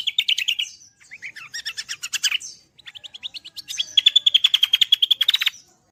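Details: Gacoran song of a cucak kombo (greater green leafbird), used to train songbirds: varied chattering phrases and buzzy twitters, a brief pause, then a long fast run of repeated notes at about 200 per minute.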